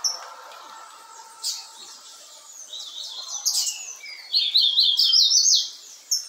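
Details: Young double-collared seedeater chirping: thin, high chirps, scattered at first, then a rapid burst of sharp, twittering notes near the end, over a low background hum.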